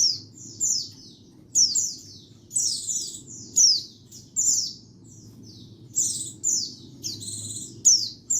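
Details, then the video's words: Cleaned lure and master recording of a white-eye: bright, high descending whistles strung into lively twittering phrases with occasional buzzy trills, recurring about every second above a faint low hum. "Suara Pikat dan Master Kicau Burung Pleci"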